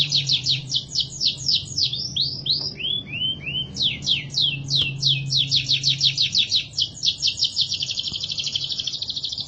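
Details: Canary song recorded as masteran, a tutor recording for training other birds: rapid high repeated trilled notes, a few descending slurred whistles midway, ending in a fast buzzy trill, over a low steady hum.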